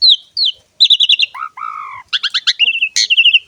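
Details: Asian pied starling (jalak suren) in gacor ngerek song meant to trigger song in other starlings: descending whistled slurs, quick chattering clusters, a drawn-out low fluting note and warbled trills.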